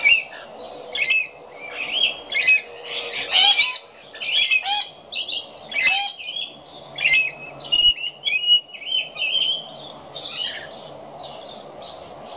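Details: Rainbow lorikeets feeding messily, flicking food everywhere, keep up a busy stream of shrill, screechy squawks and high chirps from several birds, overlapping and nearly continuous.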